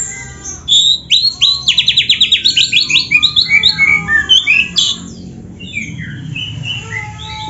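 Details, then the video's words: Oriental magpie-robin singing a 'gacor full isian' master song for caged-bird training. A rapid rattling series of high notes is followed by scattered whistles, slurs and chirps, with faint low background hum. "MASTERAN KACER GACOR FULL ISIAN JOS"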